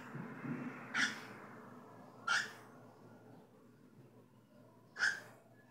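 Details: A cockatiel calls with three sharp, raspy chirps spaced irregularly over under six seconds, each brief and bright, against a quiet indoor hum with faint low murmuring at the start.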